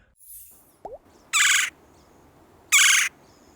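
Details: A Red-bellied Woodpecker of eastern North America gives two harsh, rolling churr calls, each about a third of a second long and spaced about a second and a half apart. A faint brief chirp comes first.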